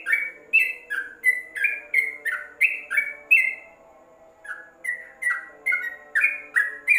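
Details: Covered-cage yellow-vented bulbul pours out quick chortling notes in an even rhythm, pauses briefly midway, then resumes the same bright, bouncing pattern; used to tutor other birds, with a soft low drone in the background.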